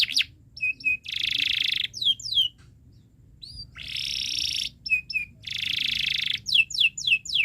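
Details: Canary song used as a tutor recording for young birds learning to sing, long chirping style: short downslurred notes alternate with three harsh buzzy rolls, a brief pause near the middle, ending in a quick run of descending whistled sweeps.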